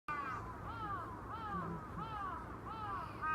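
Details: Crow calling with five harsh, nasal caws, each a slightly downcurved burst repeated roughly every 0.7 seconds, over a low steady background hum.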